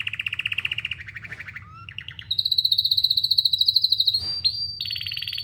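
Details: Canary singing, a run of fast trilled tours at steady mid-high pitch, the phrases stepping down, then jumping higher into long rapid pulsed rolls and a sharp upward sweep, over a low steady hum.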